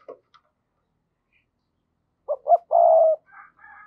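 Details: Decoy spotted dove calling to provoke wild doves. After near silence comes a loud three-part coo of two quick notes and a long steady hoot, followed by fainter higher warbling sounds.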